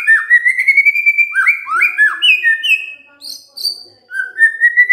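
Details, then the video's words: White-rumped shama singing continuously: a long series of rich whistled phrases, upward-sweeping and slurred, varied in pitch, with a brief lull before a final rising whistle. "DENGERIN INI MURAI BENGONG LANGSUNG BUNYI GACOR"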